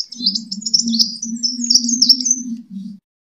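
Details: Sunbird fighting song, used as a lure for training kept birds: a dense, high, rapid twittering of thin chattering notes, running continuously over a steady low hum.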